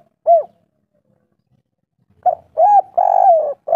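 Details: Local spotted dove of kuk 3 style: a single hollow coo, a pause of nearly two seconds, then a new phrase beginning with a short note and a long drawn coo.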